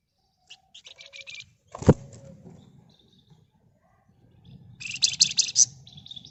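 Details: Red-whiskered bulbul in ngebren, nyerecet style: short high buzzy chatters, a loud thump, then a long, dense, rapid chattering burst with high squeaky notes over a low rumbling background.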